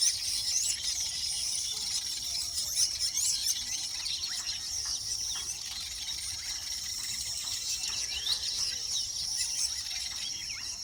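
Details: Weavers, likely baya weavers, in a busy colony nesting and mating in the mating season, chattering and buzzing with many overlapping high, scratchy notes and sizzling trills running on without pause.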